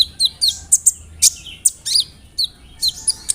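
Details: Sunbird (kolibri ninja) song used as a lure to provoke singing, with rolling song containing imitations of cricket, cililin, sparrow and cerr; sharp high chirps and short whistled notes in quick irregular bursts.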